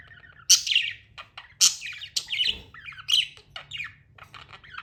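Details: Budgerigars chirping indoors: loud raspy squawks and sharp chirps interleaved with quick, wavering warbled twitters, several outbursts within a few seconds.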